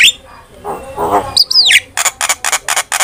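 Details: Starling master recording for training, opening with a soft raspy warble, then a loud high whistle sweeping up and down, followed by a rhythmic run of six scratchy clicks.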